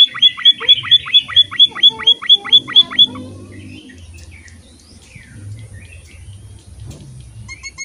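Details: Emprit, a munia, calling energetically: a burst of rapid rising chirps about twice a second for three seconds, then quiet background with scattered faint sounds.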